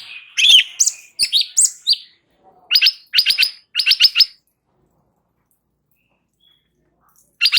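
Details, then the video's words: Light-vented bulbul song used as training audio to make other birds answer: rapid bright warbled phrases, then spaced groups of buzzy, clipped notes, a silent pause, and one last loud note. "Cucak Cungkok NGEBERN , Apapun Burungnya LANGSUNG NYAUT dengar MASTERAN ini"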